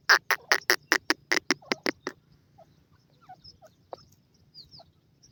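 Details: A female grey francolin (teetar) with feeding chicks gives about ten loud, harsh clucking notes in a quick two-second run, followed by faint, high peeping from the chicks.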